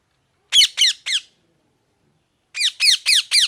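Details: Parrot (mithu) chirping naturally: loud, harsh, downward-sweeping squawks in two quick bursts, three calls, then a pause of over a second, then four more in rapid succession, with a silent background.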